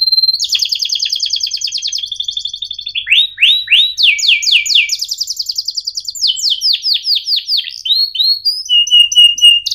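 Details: Canary in full cuit ngerol song for teaching young birds: a clear whistle opening into buzzy rolled trills, swooping chirp series, more trills and a closing pure tone, all delivered quickly and continuously.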